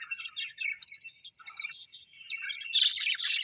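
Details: Happy pet budgerigars twitter in quick chirping phrases that end in a loud, harsh burst of chatter.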